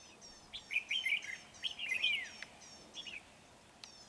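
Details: Red-whiskered bulbul heard at a trap on 31 January 2019. A run of loud, liquid whistled phrases ends in a falling slur, then a few softer chirps follow, with faint high rhythmic ticking behind.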